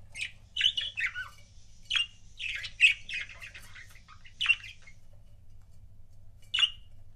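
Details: A couple of pet budgies chatter with sharp squawks spaced about a second or two apart, mixed with softer warbled twittering between them.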